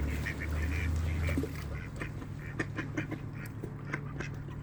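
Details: Ducks from a village in Flintshire, North Wales, rushing for feed on a cold evening; a low rumble opens, then a string of short, clipped quacks repeats rapidly.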